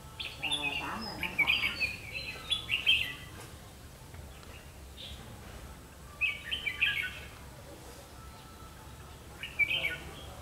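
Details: Red-whiskered bulbul ('mí lửa') singing during a trapping session on 31 October 2016, with loud, bubbling whistled phrases delivered in three bursts about four seconds apart over soft background hiss.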